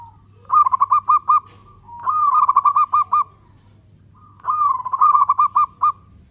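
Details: Zebra dove of a local type, a keen singer whose long-beat song is used to provoke other doves: three phrases, each a drawn-out coo breaking into five or six rapid, evenly spaced pulsing beats, with steady low hum behind.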